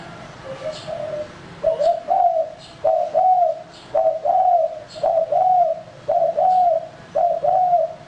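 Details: Male spotted dove kept as a lure bird, giving a two-part cooing phrase repeated roughly once a second, about seven times. Each phrase is a short note followed by a longer, slightly wavering coo, with a quiet indoor background.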